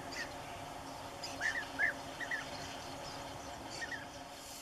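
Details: European bee-eater (Merops apiaster) at a nesting site where chicks are being fed gives a few short, rolling chirps at mid pitch, spaced irregularly over a few seconds, against a steady background hiss.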